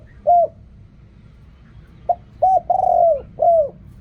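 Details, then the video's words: Spotted dove song in the Thai 'riak kham, khu kham, ok rong' style: one sliding coo, a pause, then a quick clipped note, a coo, a long falling coo and a closing coo. "เรียกคำ คูคำ อกร่อง เสียงนกเขาใหญ่"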